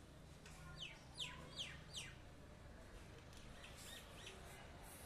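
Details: Common myna in a terrace garden, four loud descending chirps about every half second, then softer repeated notes, with steady low-pitched hum beneath.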